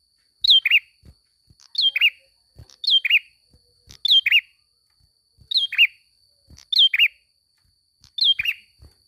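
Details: Rhythmic Ashy prinia song: seven repeats of a falling high chirp joined to a buzzy lower note, spaced roughly every one and a quarter seconds, with a faint continuous whine.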